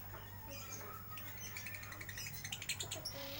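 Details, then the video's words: Lovebird in a bird shop, chattering in the busy style called ngeriwik: quick bursts of high, scratchy chirps grow denser in the second half, over a steady low electrical hum and background noise. "Lovebird ngeriwik"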